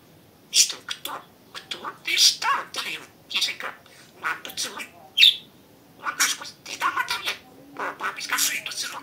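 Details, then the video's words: Talking pet budgerigar chattering in a steady stream of buzzy, speech-like syllables and sharp chirps, phrases coming in quick clusters over nine seconds in a quiet room. "Говорящий попугай Кеша 🥰 Волнистый попугайчик разговаривает"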